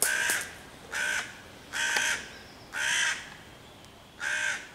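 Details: Hooded crow cawing at five young raccoons sheltering in tree foliage, 11 June 2023, to chase the predators away and summon other crows to attack. Five rough, drawn-out caws, roughly one per second.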